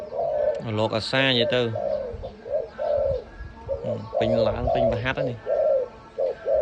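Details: Short burbling coos from a loud-voiced dove for sale alternate with bursts of a man's speech, the bird continuing its rhythm between his words.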